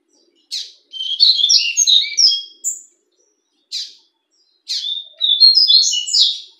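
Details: Fawn-coloured caged double-collared seedeater sings two tumbling phrases of high slurred whistles, each preceded by a short buzzy note, with isolated buzzy notes between them in a quiet setting.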